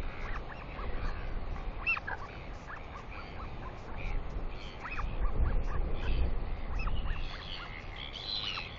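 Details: Excited begging of a royal albatross chick in New Zealand as a parent arrives for an early-morning feeding on 29 July 2020: short, thin, rising squeals in quick irregular series, with constant wind noise underneath.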